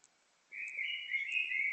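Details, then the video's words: Singing bird: a sustained warbling phrase of whistled, slightly buzzy notes wavering between middle and high pitch, starting after half a second of quiet and continuing to the end. "Singing bird"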